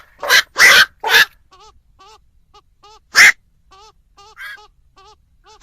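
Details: Night heron lure for Tet-season night trapping: three rapid harsh squawks, then a louder single one, while a soft, regularly repeated downslurred whistle-like note sounds in the background.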